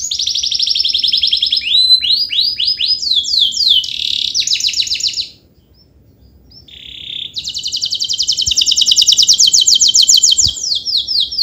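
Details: Long, continuous canary song, played to stir lazy canaries into singing. A rapid high rattling trill runs into a series of descending sweeps, breaks off for a brief near-silence, then resumes with another long, fast metallic trill.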